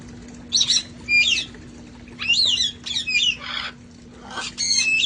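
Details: Several parrots from a sanctuary flock playing outdoors before cold weather: repeated harsh, raspy squawks with buzzy rising and falling harmonics, bursts about half a second long in quick succession, over a steady low hum.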